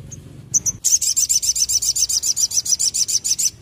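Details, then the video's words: Olive-backed tailorbird, known locally as sogon, in sustained rapid 'nembak ngleper' song: after two short chips, a loud continuous string of penetrating high notes pulses about four times a second to the end. "SOGON GACOR NEMBAK ngleper istimewah"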